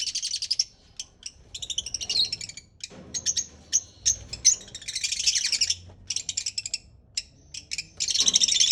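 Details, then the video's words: Parrot chattering: bursts of high, warbling, scratchy notes mixed with short clicks and chirps, broken by brief pauses. "Cute parrot"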